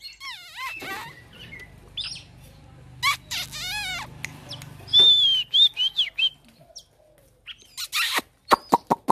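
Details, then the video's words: An Oriental magpie-robin in a fighting display, tail spread without fluffing, gives a varied song of sweet whistles, warbled trills and harsh notes, ending with a run of sharp clicks. "chòe than mồi đấu xòe không xù"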